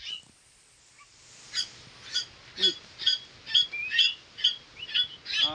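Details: Pet koleto (Asian glossy starling) kept together with pet crows: after a quiet start, short sharp chipping notes repeat about twice a second, each a bright, slightly buzzy chip, growing louder toward the end.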